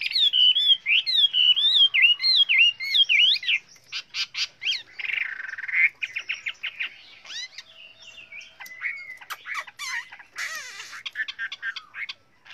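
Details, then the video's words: Chinese hwamei singing a varied song as a training model for other birds: fast looping whistles at first, then sharp clicks, buzzy notes and scattered whistled phrases. "Luyện chú chim họa mi hót hay"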